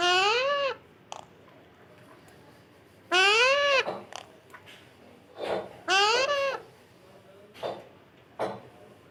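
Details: Parrot calling three times, a few seconds apart, each note loud and arched with rich harmonics, and short softer sounds between the calls.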